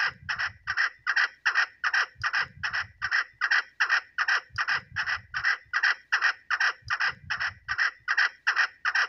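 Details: Female chukar partridge calling: harsh clucking notes repeated in a steady, even rhythm about two and a half times per second, with low rumbling noise underneath in short bursts.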